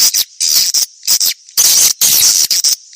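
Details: Old 1972-style swiftlet calling sound played to draw swiftlets in. Loud, harsh, high-pitched chattering bursts come in uneven clusters, separated by short silences.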